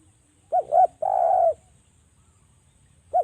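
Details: Lure recording of a spotted dove, local name derkuku jawa, meant to set other doves calling: two quick mellow rising-falling coos, then one drawn-out steady coo, with the start of another phrase at the end.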